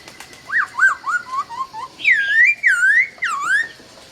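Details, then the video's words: At dawn in Vietnam, a laughingthrush gives a loud whistled series of notes stepping down in pitch, then long, slurred whistles that swoop up and down over a faint background hiss. "Nghe Tiếng Chim Khướu Hót Cực Hay"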